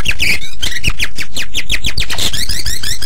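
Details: White-rumped shama in full, busy song, offered as a master recording for other birds: dense rapid sequence of sharp descending notes and chattering phrases, harsh and crowded, with strong low background rumble.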